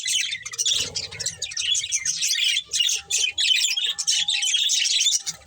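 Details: Pet budgerigars chirping together in a busy chorus of scratchy, buzzy warbles and squawks, near continuous with brief pauses, a few soft low thumps in the background.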